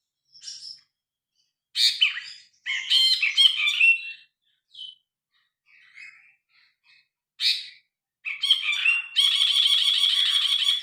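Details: Phone recording of a grey-cheeked bulbul in full voice, unaltered: scattered squeaks and short harsh bursts building to dense, grating chatter, ending in a continuous buzzy rattling stretch.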